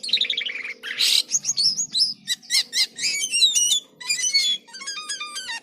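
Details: Jalak kapas singing energetically with strange sounds: a descending series of short whistles, a harsh burst, then quick repeated chips and a run of stacked whistled notes, over a faint hum.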